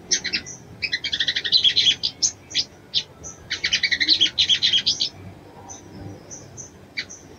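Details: Female sogon calling a male to stir him into breeding mood, giving fast runs of sharp high chirps in two long bursts, with sparse thin notes between and after.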